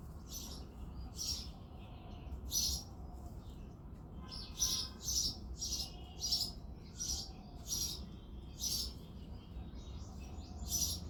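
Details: A male house sparrow chirps on a February morning, a long run of loud, harsh cheeps, irregular at first and then coming about every half second, with softer twitters between and a low background hum.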